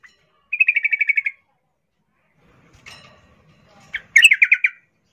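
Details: Sooty-headed bulbul, female calling a male while in breeding condition; a quick rattling series of about ten even notes, then a pause with faint rustling, then a shorter rattle of similar notes.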